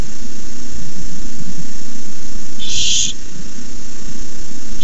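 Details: Barn owl on a nest camera, begging during a rat delivery; a single rough, hissing screech near the end, with the start of another, over continuous low hum.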